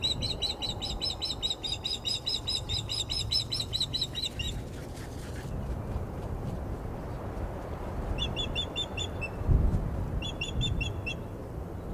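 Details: Osprey calls at the Glaslyn nest on Wednesday 14 April as the female reacts, unhappy, to an unringed male landing on the nest perch: rapid bursts of sharp, high whistled chirps in repeated runs, over steady low wind rumble.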